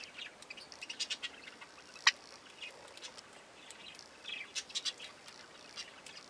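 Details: Young Java sparrows, also called Java finches, eating. Faint, short high chirps come scattered through the clip, with a brief cluster of quick notes near the end and one sharp click midway; no other sounds stand out.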